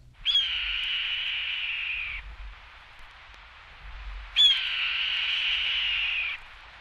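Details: Red-tailed Hawk from a 1961 guide to eastern and central North American bird songs, giving two long, hoarse, wheezy screams, each about two seconds, slightly falling in pitch, separated by a pause; otherwise quiet.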